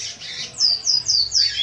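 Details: Eight-month-old chestnut-bellied seed finch practising the classic praia grande song for tournament: a brief run of three or four bright, high, descending whistled slurs in quick succession.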